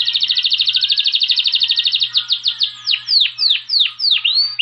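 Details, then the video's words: Saffron finch song: a fast, even trill of high buzzy notes for two seconds, then a series of loud, sweeping, downslurred whistles repeated about twice a second. "CANÁRIO-DA-TERRA!! CANTO INIGUALÁVEL!!!"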